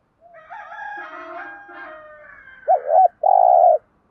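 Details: Lure call of a spotted dove for provoking other doves. The phrase opens with mixed, fainter, harmonic-rich sounds and ends with a loud double-humped note and a long buzzy coo.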